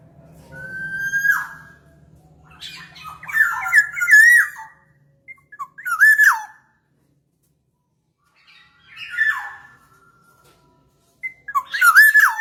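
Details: Black-naped oriole sound used as a lure for trapping birds. A clear flat fluted whistle opens, followed by harsh, buzzy, wavering nasal phrases repeated at irregular intervals of a few seconds. Faint low hum at the start.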